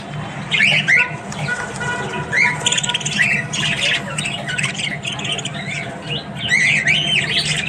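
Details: Dense morning chatter from Australian budgies: overlapping scratchy warbles, short whistled upslurs and harsh squawks running almost without pause, with a low hum underneath.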